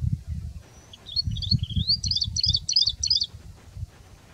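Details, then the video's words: Rufous-fronted prinia singing: a thin rising whistled lead-in, then a fast run of about five sharp, buzzy repeated notes over roughly one second, with low background rumble. "Rufous fronted Prinia singing"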